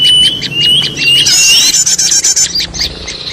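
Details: Noisy small-bird chatter used as a lure for trapping birds: thin whistled notes repeated about twice a second, then a busy burst of overlapping chirps and squeaks over a low hum.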